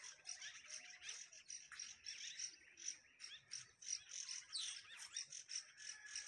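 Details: Birds giving alarm calls: a dense, busy chorus of high, sharp chirps and squeaky notes, overlapping and repeated rapidly throughout, with a faint insect-like hiss underneath.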